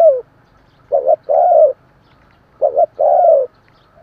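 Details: Spotted dove call for prompting newly caught doves to coo: the tail of one descending coo, then two phrases each made of a short double note and a longer, level-then-falling coo, with pauses between.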